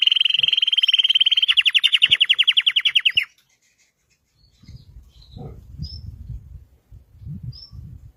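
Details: Red Belgian canary singing a loud, evenly pulsed high trill for about three seconds, then stopping, followed by quiet low knocks and rustling.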